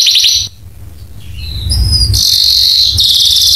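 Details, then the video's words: Canary training song meant to trigger other canaries to sing: a high buzzy trill, a pause with low rumbling background noise, then sustained bright rolling trills over a steady hiss. "masteran burung kenari cuit cuitnya bikin kenari lain langsung nyamber"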